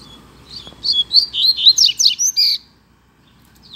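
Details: Coleiro, the double-collared seedeater, singing in a song contest: one fast phrase of about ten high, bright warbled and slurred notes lasting under two seconds, then near silence with a soft note at the end.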